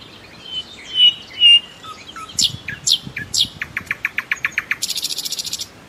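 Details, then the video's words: Rich nightingale song: pure drawn-out whistles, steep downslurred notes, then an accelerating run of rhythmic repeated notes ending in a harsh buzzy trill. "أجمل تغريد لطائر العندليب او طائر الحسنية"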